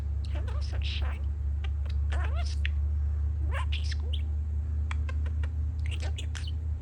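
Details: Pet male budgerigar chatting indoors while construction noise sounds outside: quick warbled chirps, rising squeaks and soft chattering syllables in irregular bursts over a steady low mechanical drone.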